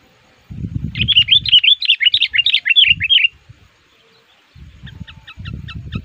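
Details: Sooty-headed bulbul used as a lure bird to attract wild males in the forest, singing aggressively and actively to challenge rivals: a rapid run of bubbly chattering notes, then short paired chirps, with low rumbling handling noise.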